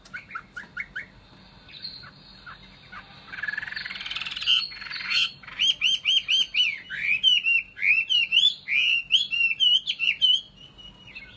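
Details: Hwamei singing, starting with short quiet notes and a buzzy rasp, then building into loud repeated whistled phrases that swoop up and down in quick succession.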